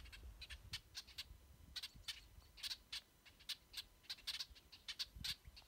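Brewer's Blackbirds giving sharp, dry chek notes, several birds overlapping in an irregular patter of two or three per second, over a soft low rumble.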